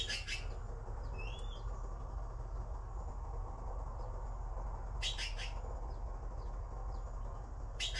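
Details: Young blue magpies awaiting food give harsh, raspy bursts spaced several seconds apart, with one faint whistled note early on, over a steady low hum.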